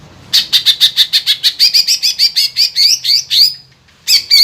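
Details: Green leafbird kept as a singing bird to stir other birds into song, giving a quick, even string of sharp repeated notes that rise in pitch, then long slurred whistles, stop, and resume.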